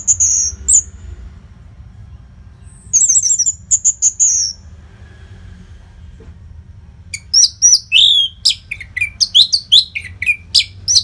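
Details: Orange-headed thrush masteran song for training contest birds: high whistled phrases and a fluttering series, a quiet gap, then a long rapid sequence of varied whistles, slurs and chirps.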